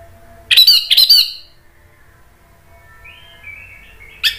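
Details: An Orange-headed thrush sings to provoke other thrushes to respond: two rapid, rich warbled phrases close together, followed by a quiet, thin wavering whistle and a final short sharp note.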